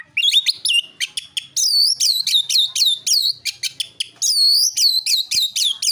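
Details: Oriental magpie-robin singing its fighting song to provoke other magpie-robins. Dense string of crisp high whistles and ringing arched notes, delivered fast and loud. Longer sweeping whistles are scattered throughout.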